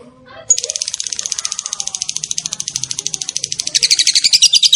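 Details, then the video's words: Lovebird long ngekek chatter for master training: after a brief quiet start, a dense rapid rattle of harsh high notes runs on steadily, turning slightly more whistled near the end; faint low voices underneath. "SUARA BURUNG LOVE BIRD NGEKEK PANJANG"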